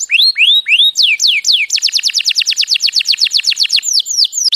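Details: Canary mating song, loud and clear. A few rising and falling whistled slurs open into a long, rapid trill of about twenty sharp downward-sweeping notes, then more swooping slurs. No background noise.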